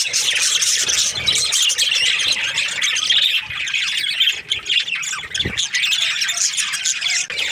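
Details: A flock of Australian budgies in the breeding season keeps up steady scratchy squawking and chirping, with a couple of low thuds underneath the constant high chatter.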